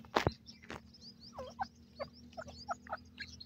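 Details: Francolin (teetar) chicks calling: a loud thump at the start, then scattered short, soft peeping notes rising and falling, with a steady low hum underneath.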